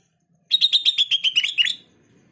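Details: Sooty-headed bulbul singing to make other bulbuls answer: a lively, evenly paced series of about eleven sharp chirping notes over a little more than a second, ending on a slightly lower, slurred note.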